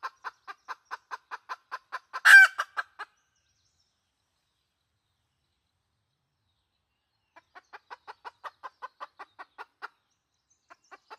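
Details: Red junglefowl hen decoy call from 2020: a train of clucks with one loud squawk, several seconds of silence, then quieter clucking and a final loud note.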